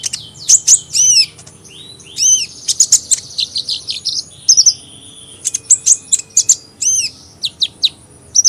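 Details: High-pitched hummingbird song: bursts of sharp chips alternating with arched, whistled notes and a run of fast buzzy twitters, the phrases repeating irregularly through the recording.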